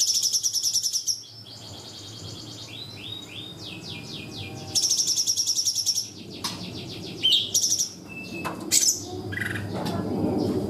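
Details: Cungkok song with natural pauses for training young birds (masteran): high buzzy trills, a run of descending whistled slurs, then scattered sharp chips and short whistles, with faint low background noise.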